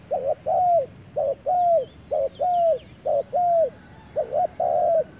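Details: In a forest, a spotted dove repeats a low cooing phrase, a clipped double note and then a longer coo that droops at its end, about once a second, with thin distant bird twitters overhead.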